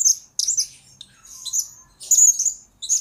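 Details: Lure-bird blue-crowned hanging parrot, captured as a master recording for training other birds, giving sharp, piercing high chirps and thin squeaky notes in three or four quick bursts with brief pauses.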